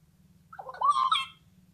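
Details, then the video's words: A Houbara bustard gives one harsh, gobbling, rasping call lasting under a second, over a steady low hum. "Houbara bustard speaking sound"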